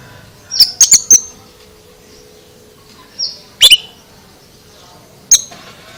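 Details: Oriental magpie-robin with odd song phrases: a rapid run of three or four clicks, a short high whistle, then a louder harsh double note and a final single click.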